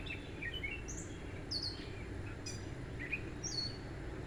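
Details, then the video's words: A Gray Catbird sings from a backyard tree at sunset on June 9, 2024, a jumbled run of short, squeaky and slurred notes, each phrase different, over a steady low rumble; it sings in this spot all day and into the night. "Cat Bird Singing"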